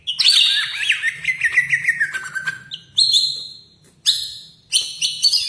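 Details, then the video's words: Caged greater green leafbird in full song, sometimes said to sound like a magpie robin: varied whistled phrases, a long descending slurred run, then short bright bursts separated by pauses. "Burung Cucak Ijo Gacor Suara rapet - cucak hijau Gacor rasa kacer"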